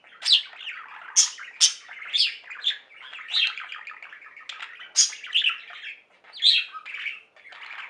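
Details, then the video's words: Pet budgies singing as a flock: crisp high chirps repeated in quick bursts above a softer continuous warble of chattering, gurgling notes. "Most Beautiful Budgie songs Ever: Budgies singing and chirping"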